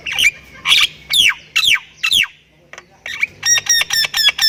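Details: Javan myna of the Thailand type, a very vocal bird singing a full 'gacor full isian' chatter: a run of harsh descending squawks about twice a second, a brief pause, then rapid stacked buzzy whistled notes.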